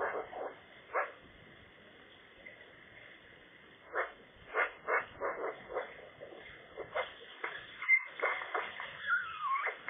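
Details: Magpie singing at its nest, which other magpies are challenging, on a sunny, cool day; a pause after an opening note, then rapid harsh chatter notes building into a busy, squeaky warble.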